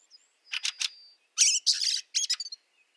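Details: Fieldfare in snow at Liepāja, Latvia, March 2023: harsh, rasping chattering bursts in two groups, with a brief thin whistle between them and a faint squeak at the end.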